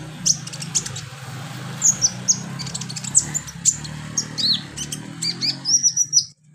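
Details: Kolibri ninja (konin) sunbird in a therapy recording meant to get birds singing: sharp high chirps and short whistled notes come in irregular bursts over a steady low hum.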